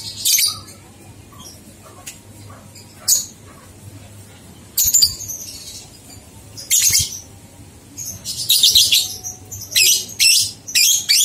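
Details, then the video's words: Lovebird on a 123-beat training recording meant to spur two-month-old young lovebirds into ngekek song; sharp, very high chattering bursts come irregularly over eleven seconds, some single and short, others in dense clusters near the end. "Masteran Lovebird Paud 123 Ketukan Terbukti Ampuh Merangsang balibu 2 bulan Ikut Ngekek"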